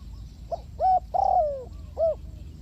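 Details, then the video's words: Spotted dove (cu gáy, Ninh Thuận, Vietnam), heard in a bird-trapping setting: one mellow cooing phrase of two short hooded coos, then a longer croon sliding downward, and a final short coo, over a low rumbling background. "The Sound Of A Spotted Dove is very good,Cu gáy Ninh Thuận"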